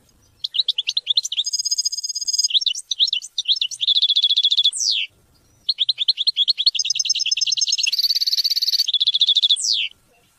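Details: European goldfinch song meant to teach and motivate hunting and mating: two long bouts of fast twittering, mixing liquid chirps, bright sustained buzzy notes and rattled trills, separated by a brief pause.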